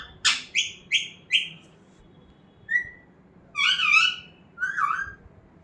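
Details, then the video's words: A pet talking parrot gives four quick, bright whistled notes in a row, then a lone softer whistle and two longer wavering, voice-like phrases. "Talking parrot"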